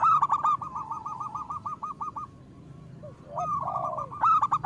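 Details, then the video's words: Local zebra dove song, loud and energetic. A long stuttered run of even cooing notes fades out, then after a quiet gap a rising slurred coo leads into a fresh burst. "Perkutut lokal gacor Suara Besar Pancingan Dijamin Langsung Gacor"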